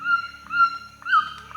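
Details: White-throated Toucan recording played as an example for a bird-song identification system: loud, clear, mid-pitched yelping notes held level, each ending with a short upward then downward bend, repeated about every half second over a faint low hum.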